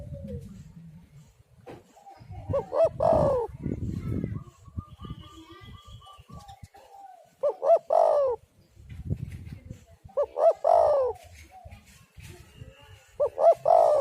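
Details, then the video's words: Spotted dove calling as a lure to draw out other doves: loud husky coo phrases, each a quick stuttered pair then a longer falling note, repeated about every four seconds, with faint background cooing and low rumble. "tekukur super gacor cocok untuk pancingan burung"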